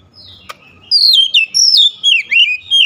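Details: Oriental magpie-robin singing a rapid series of loud, high, sweeping whistled notes, falling and rising slurs strung closely together after a brief click and a near-silent start.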